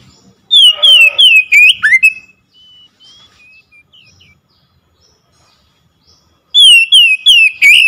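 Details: Oriental magpie-robin song played to coax a silent bird into singing: a rapid run of loud, bright whistles with twisting pitch, a few soft notes in the gap, then a second fast whistled burst.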